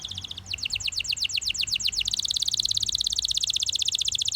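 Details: Russian canary in full song, a series of quick down-slurred whistles about six per second, shifting into a long rapid buzzy trill of tightly repeated high notes.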